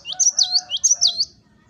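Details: High, clear 'wucit wucit' song of a cinereous tit used for tutoring: about five rapid whistled notes, each dropping and then flicking up, in a tight burst lasting just over a second.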